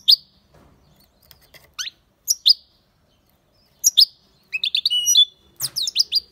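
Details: European goldfinch song, likely an aviary bird; scattered sharp high chirps at first, then a quicker run of twittering and buzzy notes toward the end, with faint background noise.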